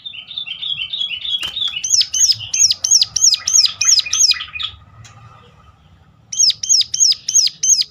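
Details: Sunda warbler giving a sharp, piercing call used to lure other birds into singing: a rapid string of high, hooked notes, about three a second, after a brief run of lower twitters, pausing once before resuming.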